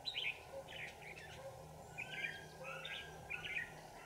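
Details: Decoy red-whiskered bulbul singing to lure wild birds into a fight while trapping, 27 November 2018. Brief bright warbling phrases come roughly every half second to second over a constant low hum.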